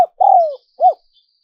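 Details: Part of a spotted dove coo phrase used to lure wild doves: a long, gently falling coo then a short arched coo, with a click at the start and a faint thin high tone.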